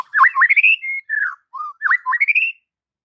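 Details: White-rumped shama song for training kept shamas: two fast phrases of V-shaped whistled notes climbing into higher sustained whistles, with short flat notes between them.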